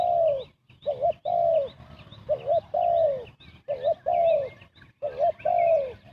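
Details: Fast cooing of a spotted dove used to lure birds into traps: five loud two-part phrases, a brief wobbling note then a drawn-out descending coo, evenly spaced about a second apart, with faint higher twittering in the background.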